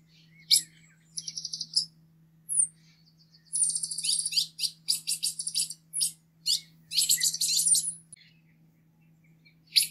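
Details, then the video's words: Green-headed tanager song: clusters of very high, thin, hissing notes, some in short stuttered bursts, others single sharp ticks, grouped in irregular runs with brief pauses between. "saira 7 cores o canto mas lindo da natureza"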